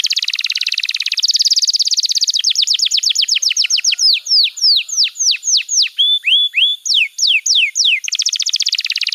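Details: Canary master song for young canaries in training: dense buzzy roll, then a series of quick falling whistles that spread out into slower slurred notes, ending with another rapid rattling trill.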